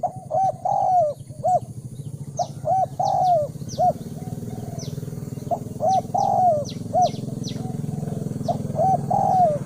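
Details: Luring call of a spotted dove for decoy training: repeated phrases of clipped coos and longer falling notes, fairly busy and irregular, with faint high thin chirps from other birds and a low steady hum.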